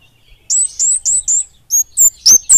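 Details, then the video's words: Flowerpecker in lively, clear, fast and tightly packed song: four thin, very high, slightly buzzy whistled notes in quick succession, then a brief pause and four sharper, sliding high whistles. "Kemade gacor ngeplong speed rapat kemade gunung vs kampung"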